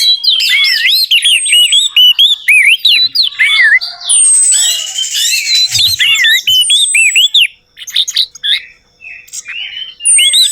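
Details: Orange-headed thrush song as a lure to make a silent bird sing: long run of rapid looping whistled notes, buzzy scratchy passages, high thin whistles, and scattered chirps after a brief lull.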